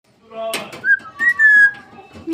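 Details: Pet parrot talking: a short speech-like burst followed by clear whistled tones, one rising then a longer level note, in a quiet indoor setting.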